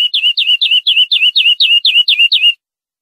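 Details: European greenfinch training song for captive birds: about ten swooping notes, each sliding down to a short level whistle, repeated roughly twice per second in a steady string.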